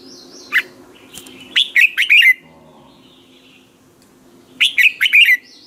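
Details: Morning training song of a caged red-whiskered bulbul used to excite other birds into singing: a single sharp note, then a rapid run of bright, rolling chirps, silence, and the same phrase again.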